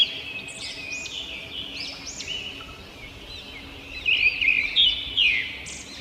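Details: Robin chirping. High, arched chirps and short upward sweeps come in loose clusters, growing louder toward the end, over a constant hiss of background noise.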